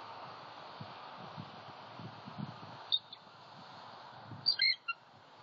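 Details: Bald eagle pair at a Southwest Florida nest at night, 13 January 2021, the male back after an owl knocked him from the nest, calling alongside the incubating female; a brief high thin squeal, then a short burst of shrill chattering notes over low rustling.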